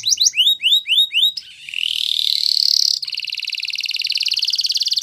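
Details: Spanish Timbrado canary delivering repeated sweeping loops, then a rising slurred buzz and a long even rattling trill, all high and bright.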